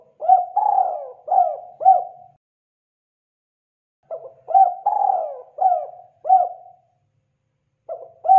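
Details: Spotted dove call used as a lure for catching birds: two bursts of mellow, low cooing phrases, each a short rising note, a longer drawn-out falling coo, then two or three clipped coos. A silent pause falls between phrases, and a third begins at the end.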